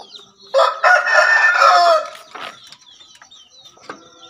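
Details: Two male Javan green junglefowl, kept birds used as a master recording for training and luring wild ones, crowing: one harsh, broad, raspy crow lasting about a second and a half, then faint scattered chirps and thin high tones behind.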